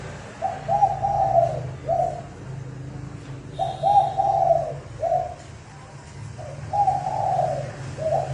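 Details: Spotted dove cooing as a fast, intense trapping lure for wild birds: three phrases, each a short coo, a longer slurred double coo and a clipped final note, separated by pauses, over a low hum.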